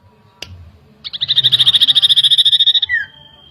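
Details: Lure song of a common iora meant to provoke agitation: a click, then a rapid, even trill of bright high notes for about two seconds, closing with a clear falling whistle.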